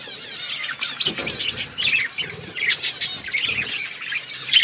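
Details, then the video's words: Budgerigar flock chirping: continuous high, warbling chatter with rising and falling notes from several birds, over faint low background noise. "Budgies flocks birds chirping sounds"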